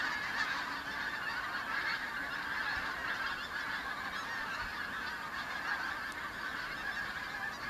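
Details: Arriving autumn migrant pink-footed geese, Kelvin Valley, North Glasgow, 25 September 2021; a smooth, steady wall of high overlapping honks from a large flock, almost free of wind noise.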